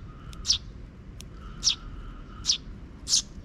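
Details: Four sharp, high sparrow chirps, evenly spaced, as a young chick comes after its scouting parent in a park in June 2023, with a faint thin hum behind.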